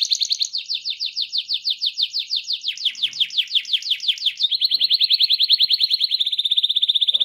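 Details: Continuous rolling canary song intended to set other canaries singing: long runs of rapid downward-sweeping notes, then tighter, faster pulsed trills at a steady pitch, with no break.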